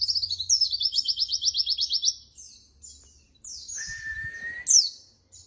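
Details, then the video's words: White-eye (pleci) masteran song: a fast, evenly pulsed high trill for two seconds, then sparse high notes, a long, level mid-pitched whistle with a low thump, and a sharp high squeak. "masteran bahan burung pleci terbaik"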